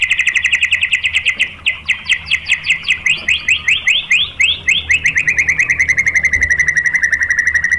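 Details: White-rumped shama singing as a lure for rival shamas: loud rhythmic sweeping notes slowing slightly, then a very fast even trill gradually dropping in pitch.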